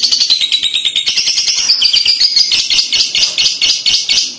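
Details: High, harsh kekek chatter of a paud lovebird, prompted by playback: unbroken stream of fast, buzzy squeaky notes at even pace, loud throughout.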